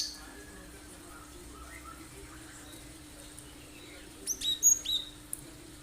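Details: Cinereous tit (gelatik batu), a lure to make other birds sing; after a quiet stretch, a short run of four clear, high whistled notes arrives near the end, with faint distant chirps earlier.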